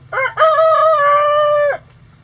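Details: Rooster in a coop where chickens scratch, giving a loud crow: a short rising note, a brief break, then a long steady ringing tone held well over a second before dropping off; quiet low hum behind.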